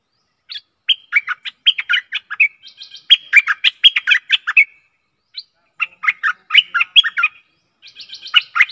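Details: Stripe-throated bulbul song used as a decoy to lure aggressive wild birds, dated 12 December 2021: bubbly, chattering phrases of quick warbled notes, rapid and almost continuous with short breaks, clear against a silent background.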